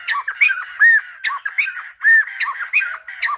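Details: Silver-headed babbler, likely kept by a bird trapper, singing a lively run of short arched and slurred whistled notes, some rising and some falling, with brief harsh squawky accents, delivered in an uneven rhythm with short pauses.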